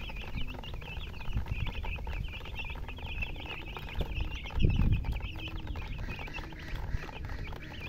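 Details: Baby chicks chirp steadily: many high, thin peeps overlap continuously. Loud low rumbling and handling thumps run underneath, with a heavier knock near the middle.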